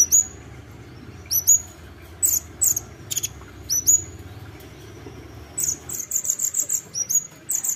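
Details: Olive-backed sunbird (kolibri ninja) in gacor isian song. Thin, very high chirps and upward-flicking notes come in scattered pairs, then a rapid, even series of short buzzy notes, over a quiet background hiss.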